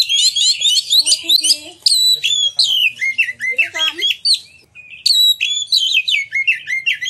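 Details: Oriental magpie-robin in full song, used as a lure to make other magpie-robins sing and fan their tails: rapid trilled twitters, varied whistles and slurred falling notes, with a short pause before another energetic run.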